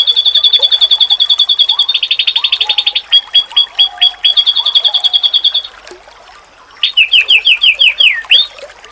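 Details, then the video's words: Masteran song of an oriental white-eye that is said to set other white-eyes answering: fast high trills broken by spaced chips, a short near-silent gap, then a burst of quick down-slurred notes. "Sekali Lawan denger,Pasti Burung Pleci lain Auto nyaut// 💯%Masteran"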